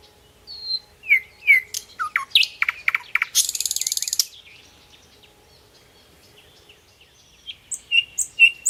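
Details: Chirping bird: a run of varied whistled and sharp chirps leads into a dense buzzy trill, then a quiet pause before high chirps resume.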